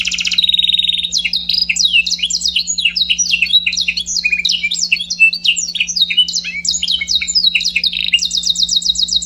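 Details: Scotch Fancy canary gives a buzzy rolling trill, then a long stream of quick descending chirps and twittering slurs, finishing with a rapid high trill, all over a steady low hum.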